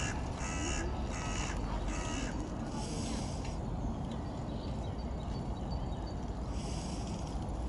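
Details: Eurasian oystercatcher giving sharp, high piping notes, three quick ones in the first two seconds and another burst later, over a constant low rumble of wind.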